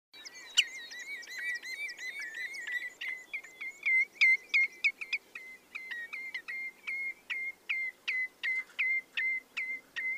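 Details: Common redshank song: a long series of clear whistled notes near one pitch, starting fast and jumbled, then settling into evenly spaced piping notes about three per second, with a faint low background hiss.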